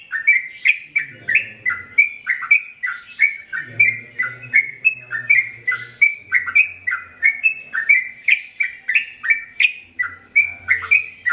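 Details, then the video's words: ['Sooty-headed bulbul in lively song of the ropel panjang type, used to train male and female birds: a fast continuous series of bubbly, slurred whistles, about two each second, over an intermittent soft low hum.'] "Trucukan Gacor ROPEL PANJANG"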